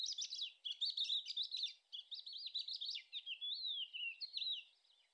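Thekla lark giving a quick, varied run of twittering, whistled notes with rising and falling slurs, high-pitched and continuous for about five seconds; nothing else heard.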